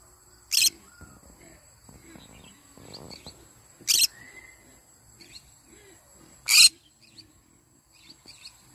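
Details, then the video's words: Morning calls of a yellow-sided conure: three loud, grating squawks a few seconds apart over a quiet background of faint chirps and a steady high hum. "Yellow sided conure singing sounds in the morning."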